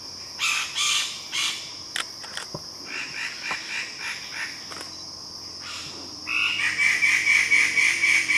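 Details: Standardwing bird-of-paradise, Halmahera, giving harsh rasping notes in quick runs, about two per second, over a steady high insect whine, then a faster, clearer chattering series.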